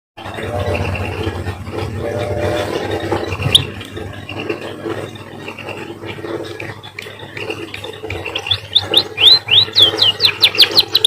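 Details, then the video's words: A munia (emprit), said to sound like a canary, gives a rapid run of sharp, high, downslurred chirps, several per second, near the end, after a stretch of steady mechanical hum and faint twittering. "emprit bird sounds like a canary"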